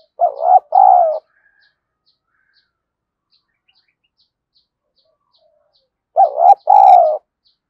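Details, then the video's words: Caged spotted dove used as a decoy to provoke fighting, giving paired hoarse coos, a short note then a longer one, repeated after a long pause of about five seconds; faint regular ticking behind. "Chim Cu Mồi Thúc Đấu , cu gay kich boi nhanh noi gù/cu gáy thúc đấu"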